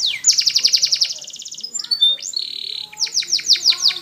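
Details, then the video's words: Canary song recorded for training young canaries: a fast, high, buzzy trill, then a short gap with a soft low warble, a high pure whistle, and a closing series of rapid descending chirps. "Best Canary Sounds!! Suitable for training your canaries"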